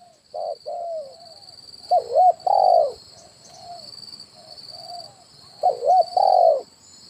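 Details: Spotted dove lure call, 'kuk 1' type, used as a decoy for catching wild birds at branch and ground: irregular mellow coos with wavering, hooked notes and longer falling coos. A steady high-pitched ringing runs throughout.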